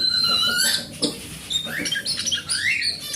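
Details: Short burst of forest oriental magpie-robin song, used to prompt a non-singing magpie-robin: long pure whistled tones followed by quick rising slurs and sharp notes.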